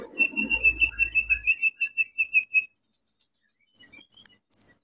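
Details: Olive-backed sunbird in energetic song, 'nembak isian' style, used as a lure to stimulate sunbirds that have stopped singing: a rapid series of thin, high whistled notes about two per second, then a pause and sharp piercing high chips.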